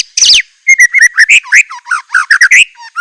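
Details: White-rumped shama singing a rich, varied song praised for its fill: a high squeaky flourish, then a fast run of loud whistled and chattering notes, each phrase different and sharply rising or falling.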